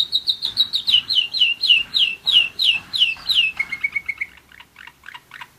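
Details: A German Roller-split canary aged one year repeats swooping downslurred whistles about three per second, then switches to a softer, lower rapid trill that fades out.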